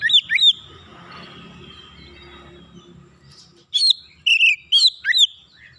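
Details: Oriental magpie-robin calling in quick bursts of sharp, curving whistled notes, a group at the start and a livelier cluster after a lull of faint hiss.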